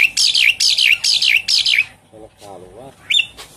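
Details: Javan pied starling song, played as a lure to prompt a caged bird that has stopped singing. Four clear whistled phrases, each sliding down and looping back, repeat about every half second. Softer low harmonic chatter and a brief high note follow.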